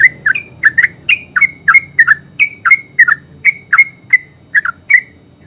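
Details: Ngeropel-style singing by a yellow-vented bulbul, called terucuk: brisk, evenly paced chirps, some rising into short whistled tails and others dropping, about three per second with no break.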